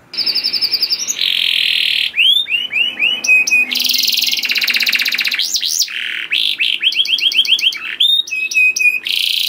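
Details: Canary singing continuously as a lure to stir other canaries: a varied medley of buzzy held tones, clicking rattles, fast trills and rising-falling whistled slurs, all high-pitched and loud throughout.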